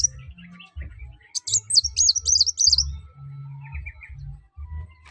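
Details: Sunbird singing energetically, used to encourage other birds to sing: a quick run of high, wavering, twittering notes lasting about two seconds, with faint softer chirps and low rumbling noise behind.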